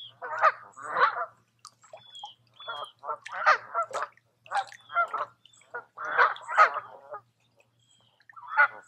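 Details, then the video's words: Summer geese at a quiet woodland lake in Tamiment, Pennsylvania, honking steadily, a string of harsh nasal calls roughly every half second with a short pause near the end. "Relaxing With Some Geese"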